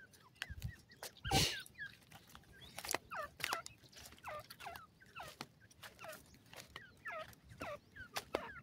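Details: Francolin, a female with chicks, calling to her young; short downward-curving chirps repeat every half second or so over a soft steady hiss, with sharp clicks and a thump early on.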